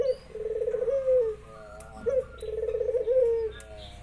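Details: Local spotted dove calling briskly as neighbouring doves answer: two low phrases, each a fast pulsed rolling coo that slides into a smooth falling coo, with a short quiet gap between them.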